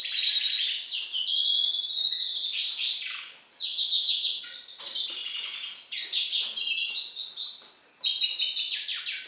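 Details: Song variant I of a European goldfinch × hooded siskin hybrid: a continuous, high-pitched, chattering warble mixing twittered phrases, short buzzy trills and quick rising and falling chirps, with a brief pause partway through.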